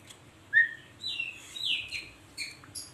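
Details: Pet Asian pied starling (jalak suren) calling actively in gacor style, said to be asking for coffee: a few short clear whistled notes, some rising or sliding, with thin high chirps; quiet room background.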